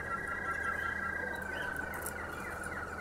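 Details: Canary in Xanthi, Greece, either a Harzer Roller or a Malinois Waterslager. It holds a long, steady, low whistled roll with a faint tremolo, then adds brief higher chirps near the end, over a continuous background hum.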